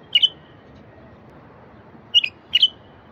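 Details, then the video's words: Bulbul in the wild, song used to stir silent wild bulbuls: three short phrases of bright, slurred whistles, the first alone, the last two close together after a two-second gap. "تغريد لفتح البلابل الوحشية الساكتة"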